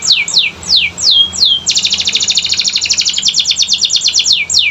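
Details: Canary singing to prompt silent canaries: several slow, loud descending whistled sweeps followed by a long rapid rattling trill of short strokes.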